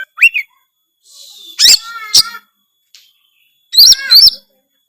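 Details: Kacer, the Oriental magpie-robin, singing gacor with isian phrases. A rising whistle, a pause, then clipped harmonic notes, and a closing pair of sharp chirps over whistled slurs.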